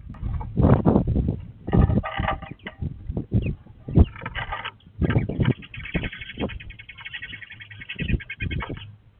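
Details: Eurasian tree sparrows at a nest box, 27 December 2023, around 11:00: the female nesting there returns and trades harsh, rapid chattering calls in a fierce squabble with two birds on the roof, likely a sibling flock fledged that spring; buzzy notes near the end over heavy low rumbling.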